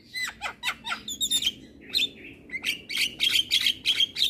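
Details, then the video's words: Asian pied starling (jalak kebo) singing in gacor style: a rapid mix of downward-sweeping whistles, harsh squawks and scratchy bursts, then bright buzzy notes near-regularly spaced, high-pitched throughout. "Masteran Jalak Kebo Ini |Masteran Jalak gacor"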